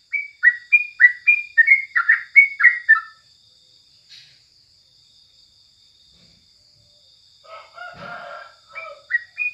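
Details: Morning tutor song of a yellow-vented bulbul: three seconds of rapid bright whistled notes, then a long quiet gap broken by a brief rustling noise burst and a few final chirps.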